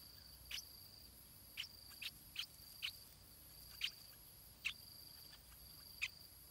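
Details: A stripe-throated bulbul nestling being fed calls with brief, high, clipped peeps at uneven intervals, some in quick pairs, eight in all, while a steady insect drone rings in the background.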